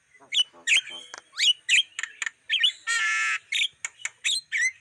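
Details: Black-winged starling lure recording used to attract wild birds: a fast mix of harsh squawks, sharp chirps and short whistled notes, with one buzzy rasping burst near the three-second mark.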